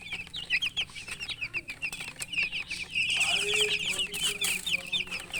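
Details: Baby chicks chirping in a busy chorus, many short high peeps overlapping, some sliding downward, dense and continuous with a brief louder stretch of rapid chirps midway.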